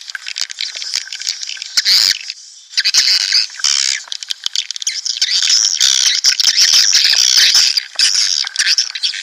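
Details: Swiftlet colony sound for attracting birds to a nest house: almost continuous shrill twittering and buzzy chatter with scattered clicks, broken by one brief pause.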